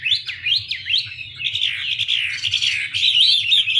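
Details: Chinese hwamei (Garrulax canorus), female dancing to fire up the male; sharp up-down whistled sweeps give way to a dense, rapid warble, over a steady low hum.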